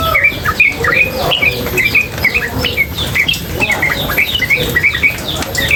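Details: A female sooty-headed bulbul chatters without pause, a fast run of bright, sharp chirps and upslurred squeaks packed closely together in a tutor recording, with faint water noise behind.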